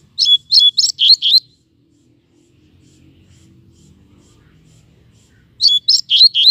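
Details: On a hot day in the shade, shortly before moulting, a Double-collared Seedeater sings two bursts of about five rapid, high, whistled notes, separated by a pause of roughly four seconds with a faint low rumble in between.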